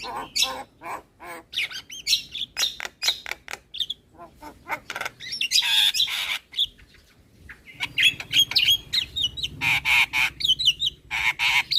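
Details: Long Asian pied starling song, played in the morning as a model for young birds: rapid clicks and chatter, whistled slurs, a brief quieter stretch, then loud rapid squawks and whistles.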